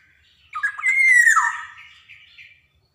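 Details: Javanese black-naped oriole singing a training phrase meant to stimulate young orioles: a rough chattering start leads to a rich whistle gliding downward, followed by two soft, short trailing notes.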